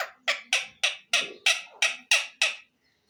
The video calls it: mian mitho chori khani ha,lovely green parrot bird talking